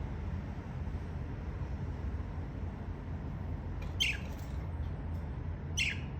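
Two short, scratchy budgerigar chirps cut through a steady low indoor hum.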